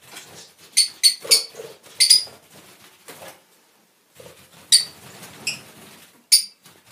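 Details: Fischer's lovebirds in lutino, albino and pastel colour forms give sharp, shrill chirps in short bursts, some doubled or tripled, separated by brief silences, with faint lower rustling and scratching in between.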